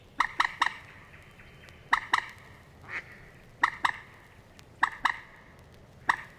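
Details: Moorhen in the reed beds of Matsalu, USSR, field recording released in 1979: short sharp clicking notes in quick pairs and triplets, repeated about every second over faint background hiss.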